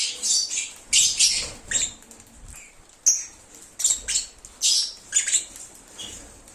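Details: Lovebirds, presented as a lure to attract an escaped lovebird back, singing and chirping: dense bursts of harsh, high screechy chirps and squeaks roughly every half second, several birds overlapping, with low clicks and rustling beneath.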